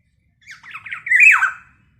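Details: Active black-naped oriole, its call said to stir up other orioles: a few short raspy notes leading into a loud, harsh, descending nasal squawk lasting about half a second, in silence otherwise.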